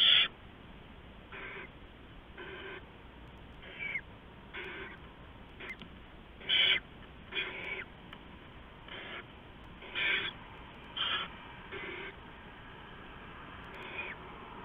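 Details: Owlets fed rats by an adult owl between 4:31 and 4:40 AM on 15 November 2015; a long irregular series of a dozen or so breathy, rasping hisses, some loud, some faint.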